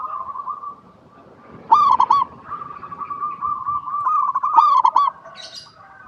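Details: Zebra dove song recorded to lure other zebra doves into singing: soft, bubbly rolling coos repeated in short bursts over a quiet background.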